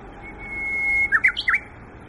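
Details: Japanese bush warbler at Yokohama Nature Sanctuary, Japan, during leaf-out season, giving a sustained level whistle followed by three or four fast, slurred, dipping notes with one higher accent. Light steady background noise.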